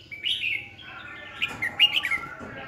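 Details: Red-whiskered bulbul used as a decoy, giving competitive song to excite and train rival birds, recorded 2020: a lively run of rich, bubbling warbled phrases, quick and varied, rising and falling through the whole stretch.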